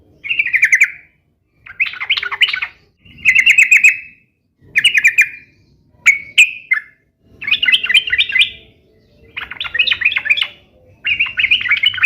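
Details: Sooty-headed bulbul singing, meant to get pet bulbuls to sing back: eight short separate phrases roughly every one and a half seconds, some clear whistled notes and some quick chattering, in a quiet setting.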